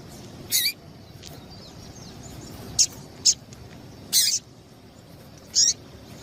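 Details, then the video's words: Double-collared seedeater female giving her call to excite a male into song: six short, piercing high chips at irregular intervals, some sharp and thin, others fuller, over a faint rumble. "Piado de Fêmea de Coleiro para Esquentar Coleiro"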